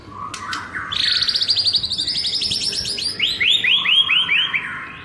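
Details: White-rumped shama giving its forest-voice style song for training: after a few short low notes, a fast rattling series of bright downslurred whistles runs on, then slower, louder swooping notes repeated about twice per second.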